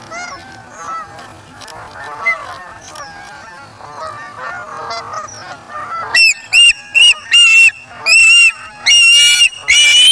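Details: Osprey chick at the Charlo nest on August 3 2017, feeding itself after taking a fish from its parent: a murmur of soft, low chatter gives way to a run of loud, sharp whistled chirps, about seven in four seconds.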